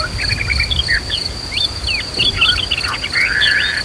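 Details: Agitated white-rumped shama singing, used to stimulate fighting spirit and loud singing in other shamas, set against river flow and nature sounds: quick varied whistles, slurred swoops and a sustained warbled phrase, with constant high insect buzzing.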